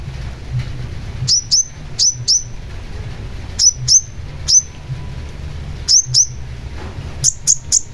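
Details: Long-tailed shrike giving sparse, sharp, high down-slurred chirps, mostly in quick pairs spaced a second or more apart, over a low steady hum.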